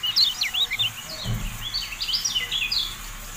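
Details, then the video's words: Javan white-eye (kecial kuning) tutor audio: a busy jumble of high, wavering, slurred chirps, loudest at the start, with a short low thump midway. "MASTERAN TERBARU KECIAL KUNING, FULL AUDIO"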